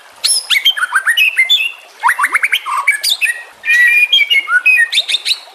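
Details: White-rumped shama song used as a training track for competition shamas, mixed with nature and trickling water sounds: loud, varied phrases of clear whistles, rapid rising sweeps and sharp chips, in bursts separated by short pauses.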